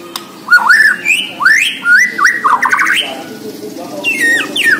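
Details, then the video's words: Borneo white-rumped shama in full, prolific song: a rich run of loud slurred whistles, swooping notes and quick stuttering trills delivered almost without pause over a low background hum. "MURAI BORNEO GACOR DARRR DERRR DOORRR"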